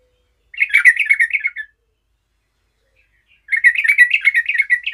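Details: A vocal Yellow-vented bulbul challenges a rival, meant to provoke other bulbuls into calling, with two bursts of bubbly, chattering mid-pitch notes, each about a second long, separated by a pause.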